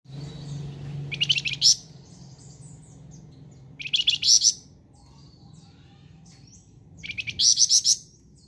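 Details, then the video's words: Flamboyan bird singing vigorously: three short bursts of rapid, buzzy, high chirps, each lasting under a second and spaced about three seconds apart, with a low hum in the background. "BURUNG FLAMBOYAN GACOR"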